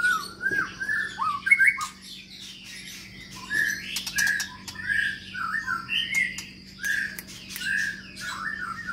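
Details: Caged long-tailed Medan white-rumped shama singing mellow, mid-pitched whistled phrases, some rising and falling, spaced with brief pauses and scattered sharp clicks and chips, with a thin high steady tone and low hum in the background.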